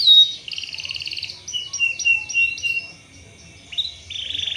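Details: Lure song of a canary, meant to stimulate other canaries into full rolling song: a bright note, buzzy rapid trills, a series of repeated swooping whistles, then a steady buzzy trill.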